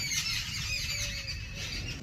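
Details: A flock of jungle babblers ('seven sisters', which always move in groups) calls together around homes in the morning: harsh, squeaky, overlapping chatter running without a break over a low background rumble.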